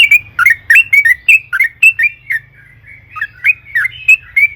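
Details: Lively yellow-vented bulbul song, played as a lure so other birds start singing: a fast chain of slurred, liquid notes that briefly softens midway before picking up again, over a quiet low hum.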